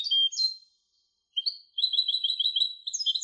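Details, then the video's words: A European goldfinch hybrid gives a few sharp high chirps, falls silent briefly, then breaks into a fast stream of twittering and trilled notes that continues to the end. "تغريد هجين الحسون Canto De Mixto del Jilguero"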